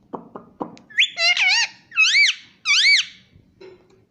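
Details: Pet Indian ringneck parrot imitating "Mummy": three quick clicks, then three drawn-out, nasal, arching syllables with brief pauses between them, followed by a soft low note.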